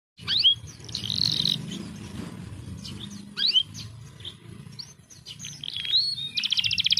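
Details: Canary song used as a lure to prompt lazy, reluctant birds into singing: bright varied chirps, quick rising sweeps and buzzy rattling trills in bursts, ending in a fast pulsed trill, over a low background rumble.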